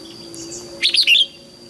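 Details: Short, high, bright flourish of three or four tight notes from a red-whiskered bulbul, part of training song for young white-cheeked birds and newly caught birds, set against a quiet background with faint constant tones.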